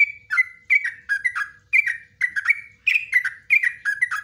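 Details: Yellow-vented bulbul in the long rapid 'ropelan' style with 'nguklik ngecruk' phrases, used for training cage birds: bubbly, gurgling two-part notes falling in pitch, delivered in quick bursts about every half second, clean and close.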